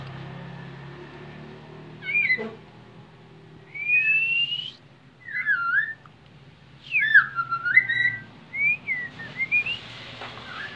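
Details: Bowing white-rumped shama giving sparse, clear whistled phrases: a rising slurred whistle, looping and falling notes, then a short cluster of varied whistles, separated by quiet gaps of a second or two over faint low background hum.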